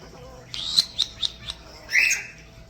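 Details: Pet common starling in a bird room giving a new whistle: four short sharp rising notes about a quarter second apart, then a longer bright warbled phrase.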